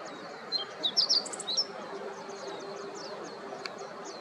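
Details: Meadow Bunting on its morning rounds at Yanagishima coast, Chigasaki, Kanagawa, Japan, on 26 October 2023, giving a burst of high, thin, sharp chips over about a second, then fainter high calls, over steady hiss.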